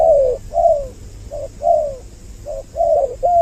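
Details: Spotted dove lure recording with doubled voices for attracting males and females: low mellow coos in short bursts, several falling slightly, separated by brief pauses, with a constant faint hiss.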